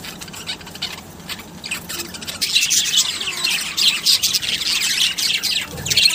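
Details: Pet budgerigars (Melopsittacus undulatus) break into busy, high-pitched chirping and twittering chatter after a quiet opening.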